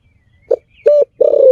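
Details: Spotted dove lure sound: a soft brief note, then a steady level coo and the start of a long wavering coo, all low and mellow.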